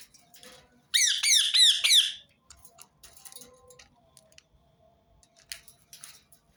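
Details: Rose-ringed parakeet letting out a quick run of about four harsh, shrill screeches lasting a second, followed by scattered faint clicks and rustles; the call is repeated to make other birds sing.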